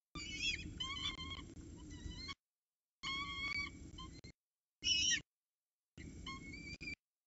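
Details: Peregrine falcon female feeding chicks at the Orange CSU nest, early morning of 26 October 2019, after the male brings food. Stacked, quavering high squeals repeat in several bursts over a low background hum.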